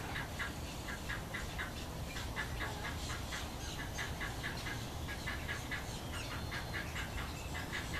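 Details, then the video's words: Cattle egret with chicks: evenly spaced short raspy notes, roughly three a second for eight seconds, steady and insistent, with persistent low rumbling noise underneath. "Cattle Egret w Chicks"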